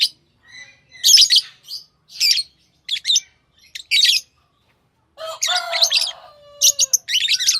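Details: Shrill lovebird chirps come in spaced bursts, then a lower, harsher squawking call mixed with rapid chirping toward the end.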